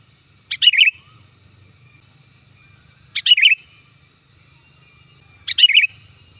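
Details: Sooty-headed bulbul calling hard and loud, a recording meant for luring and tutoring birds: three brief warbled, gurgling phrases spaced evenly about two and a half seconds apart, a soft low rumble underneath.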